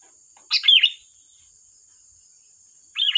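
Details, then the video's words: Lure recording of a 'gacor' sooty-headed bulbul: one rich, liquid warbled phrase, a pause, then a shorter bubbly phrase, over a faint continuous high tone. "Suara burung Kutilang Gacor || tembakan tajam pas untuk pancingan"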